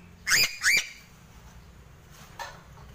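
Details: Sulawesi crow (gagak sule) producing a pair of bright rising whistled notes, followed by faint softer sounds and low background hum.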